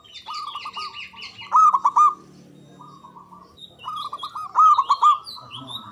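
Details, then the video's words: Loud local Javanese zebra dove singing to provoke mute or reluctant doves into answering. Long trilling runs of clear, hooked cooing notes, rising to loud peaks, then a pause before another run. Light high chirping from other birds sounds behind. "Pancingan Ampuh Pendongkrak Perkutut Bisu🔇 Malas Bunyi🔊 Bikin Rame"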